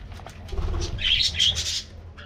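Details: Budgerigars feeding on a morning diet treat: a brief burst of high squeaky chirps and short whistled notes, with wing flutter and low rumbling underneath.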